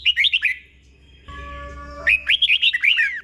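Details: Slow, clear 'berl' song of a red-whiskered bulbul meant for caged birds to copy: a chattering whistled phrase, a pause with a steady humming tone, then a longer warbling run of slurred notes.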